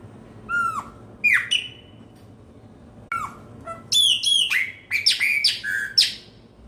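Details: Pena branca, a Chopi blackbird, singing around New Year: scattered liquid whistles dropping in pitch, then a quick run of bright ringing notes that slide down, some with a buzzy edge, against soft background hiss.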